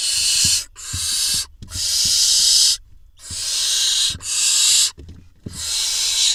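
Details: Barn owl chicks in a nest box in Israel, June 2021, as the male delivers a vole that a nestling gobbles; a series of long, breathy, rasping hisses, about half a minute's rate of twenty-eight, with soft thumps between.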